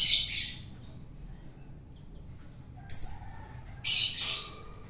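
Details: Three rough, rasping notes from a wild-caught long-tailed shrike during hand-feeding to tame it: one at the start, a shorter sharper one after a long pause, then a final grating burst.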